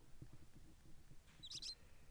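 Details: A barn owl chick just a few days old, down-covered and nesting in a barrel in a desert industrial warehouse beside an unhatched sibling, gives two quick, thin, high twittering notes near the end, over low indoor rumble and handling noise.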